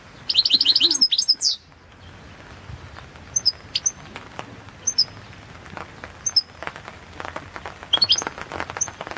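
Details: European goldfinch, subspecies Carduelis carduelis balcanica, singing for a goldfinch song championship: an opening burst of rapid, high twittering, then short, sparse high chips spaced a second or two apart, with faint clicks and rustling between them.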